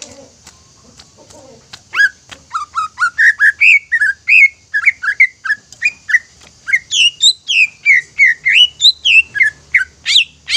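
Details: Greater green leafbird, kept as a caged songbird, singing a lively song meant to provoke other leafbirds into singing: a rapid run of whistled notes, many rising or falling slurs, some sharp high chips, after a quiet start with faint clicks.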